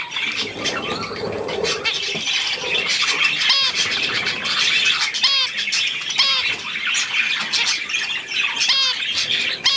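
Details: Budgerigars and their young with millet, 3 May 2024: dense, continuous chirping chatter with repeated sharp, ringing calls that bend up and down, several arriving in quick clusters.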